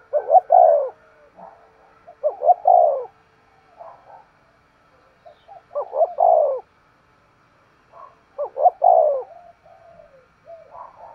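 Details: Spotted dove used as a decoy, giving sharp-voiced 'thúc gù' coos: four phrases spaced a few seconds apart, each of two or three clipped rising notes running into a longer falling coo, with faint murmurs between.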